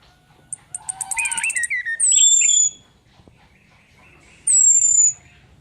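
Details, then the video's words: Female orange-headed thrush lure call: an accelerating run of high chattering notes over a low whistle, then two separate, long, thin high whistles slurring downward, well spaced apart. "SUARA PANCINGAN ANIS KEMBANG BETINA PANCINGAN EFEKTIF ANIS KEMBANG NGEPLONG GACOR DIJAMIN BIKIN EMSI"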